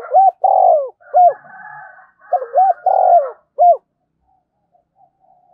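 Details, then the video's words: Calling spotted dove used as a decoy, in the 'giọng thổ sấm' style. Two full phrases of mellow low coos, each a short double note, a long throaty middle note and a clipped final coo, with faint higher murmuring between them. "chim cu gáy thúc và gáy gọi cực đỉnh, chim cu gay kich boi nhanh noi"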